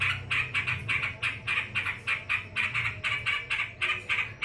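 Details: Yellow-vented bulbul calling while angry: grating chattered notes in short clusters, roughly two per second, with a soft low hum in the background.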